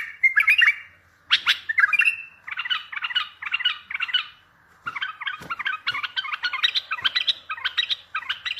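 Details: Bulbul sounds meant to draw answers from other bulbuls for trapping. Harsh squawky notes open, followed by long runs of rapid, steady chattering repeated several times a second.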